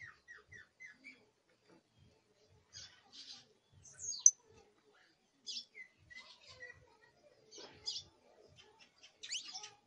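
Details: A young canary gives first song attempts: a row of four short descending chirps, then scattered buzzy notes, a sharp squeak, and brief trilled phrases separated by pauses, in an otherwise quiet room.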